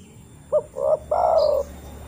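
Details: Spotted dove, called tekukur, cooing as a lure meant to make other doves answer: one complete phrase of a brief note, a fuller middle coo and a long, slightly falling final coo.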